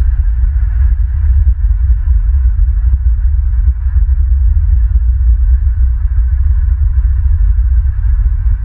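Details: Loud low rumbling hum with soft ticking, and no animal sound.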